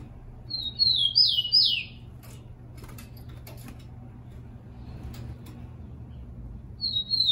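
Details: Tico-tico (rufous-collared sparrow) song used to warm up captive singers: an opening whistle and three falling slurred notes, a stretch of dry clicks, then a new song beginning at the very end.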